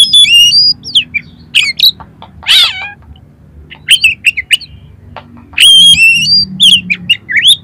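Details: Kacer, the Oriental magpie-robin, singing a lure song used to make other birds respond and open their tails: bursts of fast, high whistles and trills broken by short pauses, with one harsh rasping note.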